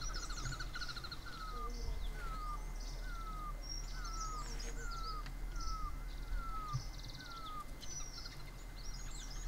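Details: Great hill barbet (Himalayan barbet) giving a run of falling, slurred notes at an even pace after a short pause, while small birds chirp and twitter high above and a low hum runs throughout.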